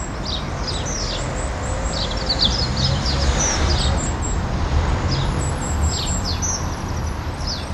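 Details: Goldcrest foraging in a garden spruce in Hull: scattered bursts of very high, thin, sibilant notes, repeated about twice a second, with constant low traffic-like rumble underneath.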